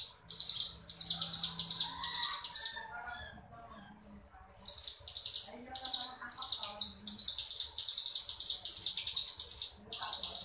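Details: Mountain ciblek, the crescent-chested warbler, giving its ngebren song: long runs of fast, buzzy, high-pitched trilling, broken by a quiet pause of about two seconds, then resuming in rapid bursts.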